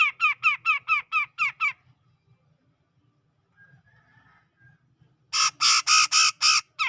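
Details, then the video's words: A grey-cheeked bulbul from the tropical forest of Sumatra, around Medan, delivers a string of seven clipped, buzzy notes. After a long pause with faint background chatter, it gives a louder, harsher burst of six notes in lively ngepik style. "Cucak Jenggot Gacor Ngepik"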